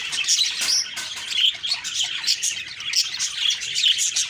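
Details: On an October 2, 2023 morning, budgies chatter in a thick, unbroken mix of sharp chirps and brief whistles from several birds.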